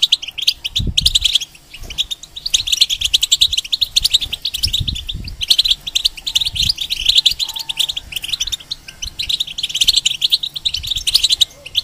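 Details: ['Tutor song of a caged European goldfinch for young hybrids: sustained, rapid, jingling twitter of high notes rolling on almost without break, mixed with occasional dull low bumps.']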